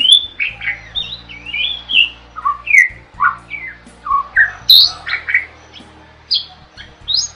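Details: Starling singing vigorously, a recording meant as a tutor for training other songbirds; a fast jumble of whistled and squawky notes, many sliding up or down, in short bursts with brief gaps.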